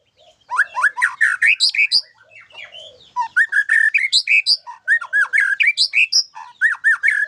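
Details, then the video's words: White-rumped shama singing a song with isian (fill-in) content: loud, fast varied phrases of whistled slurs, rising sweeps and sharp chirps, with a brief quieter pause near the three-second mark before rapid repeated notes resume. "Suara Burung Murai batu dengan Isian mantap"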